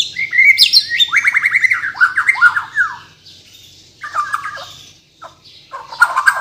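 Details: Bornean white-rumped shama, caged bird from Kalimantan, singing a fast series of high falling whistled notes and rattling trills, then brief pause and renewed mixed phrases.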